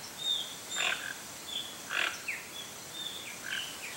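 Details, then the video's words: Toco toucan from Brazil giving rough, grating croaks, two loud ones about a second apart followed by softer notes, over a hissing background with faint whistled calls of other birds. "Canto do Tucanuçu (Ramphastos toco)"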